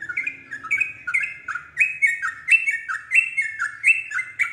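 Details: Yellow-vented bulbul singing to lure another bulbul into responding and joining its continuous song. Steady series of loud, liquid two-part chirps, roughly two per second, with a faint low hum underneath at the start.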